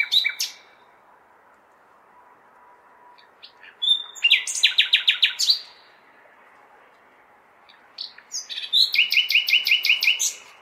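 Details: Nightingale song on a May night in a big city, like a cry for mates carrying far: two separate phrases of loud, rapid, repeated chopped notes, the second a steady rattling series, parted by quiet urban background noise.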